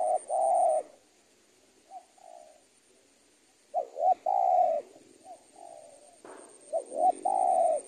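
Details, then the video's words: Spotted dove calling in audio meant for training birds: loud hooting coos, some with a quick wavering start, mixed with softer, fainter coos between them. "ajaran tekukur super penguku"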